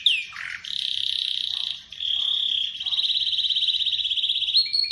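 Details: Atlantic canary singing a long continuous song: a brief high note, a low buzzy burst, then extended rapid trilled rolls that shift slightly in pitch, ending with a higher sharp phrase; quiet background.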